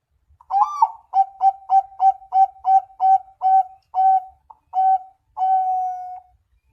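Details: Zebra dove song: a bubbly opening, then around a dozen crisp cooing notes that slow toward the end and close on a long, steady drawn-out coo.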